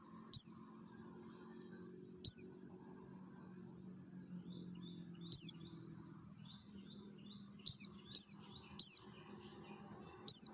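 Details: Mountain white-eye from Merapi, wild 'ngalas' singing used to lure other white-eyes into song. Sharp, very high falling notes start sparse, then come as a quick run of four near the end. A steady low hum continues behind them.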